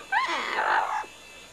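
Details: Female double yellow-headed amazon kept as a pet, playing beneath bed sheets and sounding angry though enjoying herself, gives one drawn-out, harsh, rising-then-falling squawk of about a second, with a woman talking to her nearby.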